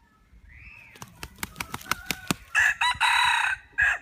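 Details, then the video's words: Rooster crow preceded by a soft rising call and a series of sharp clicks or taps; the loud crow then comes in harsh, broken segments from about two and a half seconds to the end. "บรรดาไก่ที่ขันเพราะ cov qaib uas qua tau zoo"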